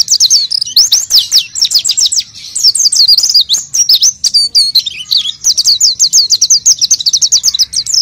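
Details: Gacor oriental white-eye song used to draw out raw birds: sharp high chirps repeated in quick series, a jumbled burst midway, then an even run of slurred notes.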